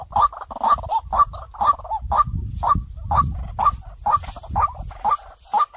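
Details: White-breasted waterhen decoy call used to lure birds in: clear, throaty kwak notes repeated steadily about twice a second, each with a bright upward-flicked tip, over a low rumbling background.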